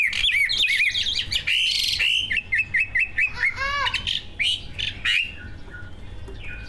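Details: Greater green leafbirds, two captive competition birds singing mimicry-laden material meant to set other birds singing: fast varied whistles and trills, a descending series of slurred notes, then quieter scattered chirps.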